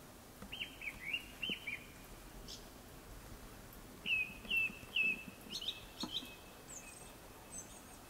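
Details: Japanese thrush before sunset sings a quick run of whistled notes, pauses, then repeats a clear whistled motif three times, closing with high thin squeaky notes.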